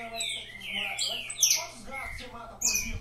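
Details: Bird-breeder's saffron finch singing figurando: long descending whistled slurs dropping from very high to mid pitch, followed by shrill high chips, while quiet human talk runs beneath.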